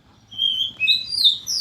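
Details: White-rumped shama, a caged bird put out for its morning sunning, giving clear high whistled notes that climb in pitch over a second and a half, with a soft low hum behind.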